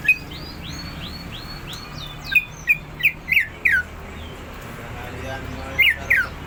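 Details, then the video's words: Greater green leafbird in ngentrok style, rapid continuous singing: a string of ringing upswept whistles, then loud sharp downslurred notes spaced irregularly, over a low background hum. "Burung cucak ijo ngentrok"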